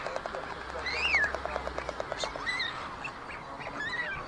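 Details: Nest-cam recording from Ságvár, Hungary, May 22, 2024: white stork chicks at a chimney nest near meadows and wetlands, older siblings stealing food from the youngest. A bright squealing call arches up and down, followed by fainter similar calls and soft ticking.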